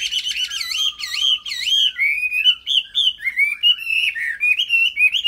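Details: Caged, tame Chinese hwamei singing loud, rich whistled phrases that sweep up and down in wavy loops, starting with repeated slurred notes, then running into a fast, varied warble with no pauses.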